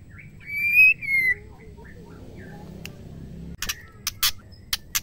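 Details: Female white-rumped shama, its sound used to stir male shamas into song: one long clear whistle that rises slightly then falls, followed by quiet gaps and a few sharp dry clicks near the end.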